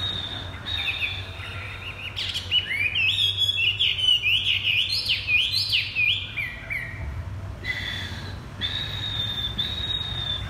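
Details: Caged hwamei kept on the ground delivering thắt cổ chai song: held high whistles open into a loud burst of quick slurred, stepped whistled phrases climbing and falling, then steady whistles again over low rumble.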